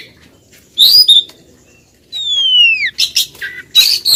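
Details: Insistent female Oriental magpie-robin calling to a male: a bright warbled note, a pause, then a long smoothly descending whistle followed by short harsh chips and squeaks.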